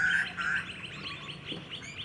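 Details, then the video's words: Juvenile grey butcherbird filmed on the Sunshine Coast, Queensland, in August 2020: two short strong notes, then a quick series of faint chirps. "Grey Butcherbird"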